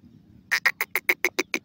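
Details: A francolin, called teetar, gives a quick string of eight short, sharp, evenly spaced notes, clear and ringing, over a faint low hum.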